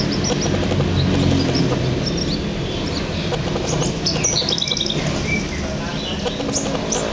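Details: A local East Javan Horsfield's bush lark sings quick, varied chirps and short trills over a steady low rumble.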